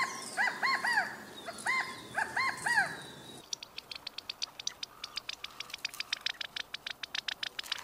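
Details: California quail giving several arched, slurred calls in quick succession for about three seconds, followed by a steady run of sharp clicking or tapping sounds against outdoor background noise.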